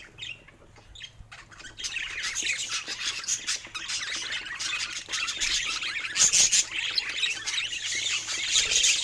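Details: Quiet at first with a few soft chirps, pet budgerigars at play then break into a dense, scratchy warbling chatter that grows louder toward the end.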